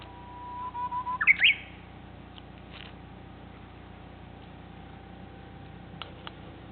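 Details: Japanese bush warbler singing: a long, steady, low whistle, then a quick rising, warbled flourish ending abruptly, followed by a few faint distant clicks and a quiet background hum.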